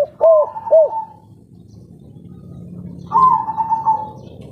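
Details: Local Spotted Dove, 'kuk 3' style, with a mellow, clear voice: two quick hollow notes run into a drawn coo, then a quiet gap before another long, slightly wavering coo.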